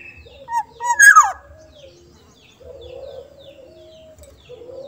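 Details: Black-naped oriole from Sumbawa with a soft voice: two short fluty notes lead into a loud whistle that slides steeply downward, followed by a faint, low, steady hum.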